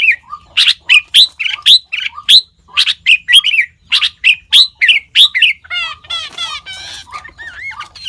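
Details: Sooty-headed bulbul mimicking other species: a rhythmic series of loud sharp chirps, then a switch to rapid trilled rattling phrases and looping whistled notes near the end.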